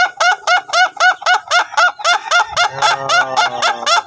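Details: Ayam Ketawa laughing chicken, a long-duration crowing type being trained to crow for a long time: rapid, regular string of clipped laughing syllables, about four per second, with a lower drawn-out voice joining beneath during the second half.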